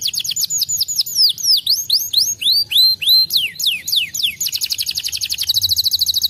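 A Gloster canary sings a fast, high, continuous song of swooping, falling whistled notes that ends in a rapid, buzzy trill.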